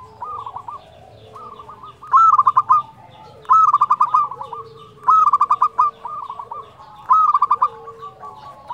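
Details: Local zebra dove, an Indonesian perkutut, with a flute-like song, recorded as a lure to stir other doves. Loud cooing phrases open with a rising hooked note, then break into quick stuttered coos, about every one and a half seconds. Softer doves answer between.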